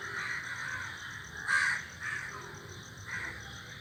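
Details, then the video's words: Several crows perched in a tree make noise: a loud harsh caw near the middle, then two fainter caws, set against a continuous thin high whine. "crows sitting in the group are making noises are sitting on the tree"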